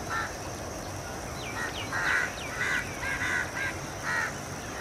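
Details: House Crow, subspecies protegatus, at a dusk roost in Colombo, Sri Lanka, on 28 February 2014: six or so harsh, nasal caws spaced about half a second apart, mixed with thin descending chirps and a steady background hum.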